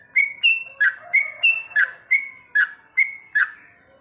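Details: Night song of a yellow-vented bulbul: evenly spaced liquid whistles, about three a second, each note a short flat tone shifting between two or three pitches, over a thin steady high hum.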